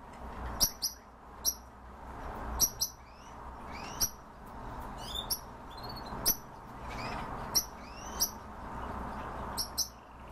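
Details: Himalayan bulbul calling: a series of short, bright, rising chirps and slurred whistled notes scattered through the clip, with sharp clicking sounds and a low background hum.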